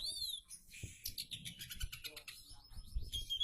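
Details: Oriental magpie-robin singing a richly varied song of mimicked phrases, high thin whistles, rapid stuttering chips and buzzy trills, with dull thumps and low background rumble.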